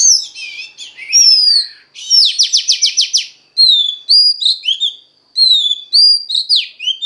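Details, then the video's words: Female Oriental magpie-robin singing to stimulate a male: mixed chirps and a falling whistle, a fast trill of about eight descending strokes, then a series of clear down-slurred whistled notes. "Choè than mái kích trống hay nhất"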